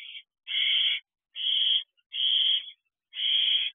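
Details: Barn owlet in an owl box at night, 14 June 2023, holding a large rodent; four long rasping hiss-screeches about once a second, steady and evenly spaced.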